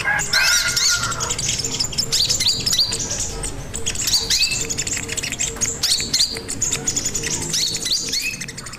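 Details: Crimson sunbird singing vigorously, used as a lure and master recording for training other birds: dense high chirps, quick rising and falling whistled notes packed together, a lower note at about one second, steady background hum.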